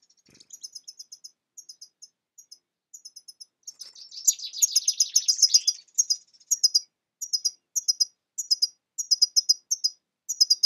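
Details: European goldfinch (Carduelis carduelis) singing: a steady run of high tinkling, liquid twitters, broken midway by a dense buzzy, rattling burst, then resuming with rapid chirp clusters.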